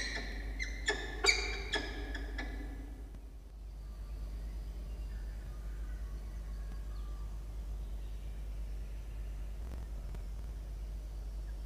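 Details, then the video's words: Male peregrine falcon in a nest box on a university campus in Orange, New South Wales, Australia, asking the female for his turn incubating eggs, 6 October 2021, nest camera: a burst of harsh, stacked chupping notes for two seconds, then quiet hum. "Xavier request to Diamond about his egg time"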